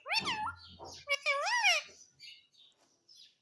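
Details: Household parrot talking in a run of voice-like syllables with wavy, rising and falling pitch, ending in softer scraps of chatter.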